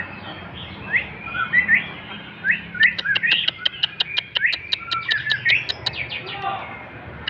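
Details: Male white-rumped shama, 'klewer' singing: soft warbled slurs followed by a rapid series of sharp clicking, ticking notes mixed with high twitters, over a steady low background hum.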